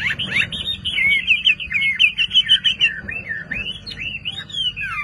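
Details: Kept Chinese hwamei in Vietnam singing a continuous run of bright slurred whistles, rising and falling in quick succession, with a pulsing rhythm of loud notes and softer twitters.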